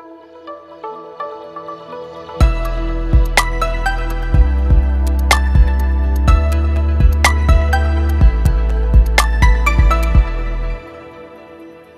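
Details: Soft instrumental music with sustained tones, a deep bass pulse and steady percussive beats; no animal voice is heard.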